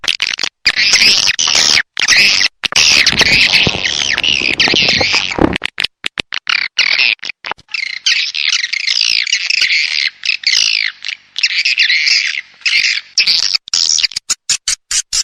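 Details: Swiftlet twittering from the Dewa Amoy Super Raja Sedot sound pack: continuous shrill, buzzy chatter over rough background noise for the first five seconds, then cleaner flowing twitters chopped by brief gaps.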